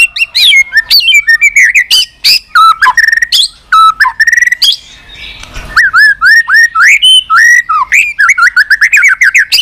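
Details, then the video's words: Energetic White-rumped shama song with repeated tack calls, used to fire up weak or young shamas; dense run of quick whistled slurs and clicks, a brief pause midway, then steady repeated rising notes. "Chòe lửa tạch liên tục.dùng Kích Chòe Lửa yếu lửa,kích bổi nhanh lên lửa hiệu quả,chòe lửa đập đuôi"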